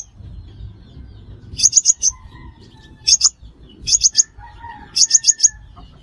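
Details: Five-colour sunbird call, used as a trapping lure: clusters of three to four piercing high chips, spaced about a second apart, over a quiet background with soft distant whistles.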